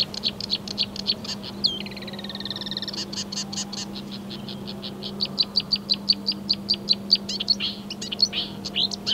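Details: Marsh warbler song of imitated European and African birds, 15 May 2020: rapid ticks, a drawn-out descending trill, a buzzy rattle, then long even series of sharp clicks and whistled notes over a low constant hum.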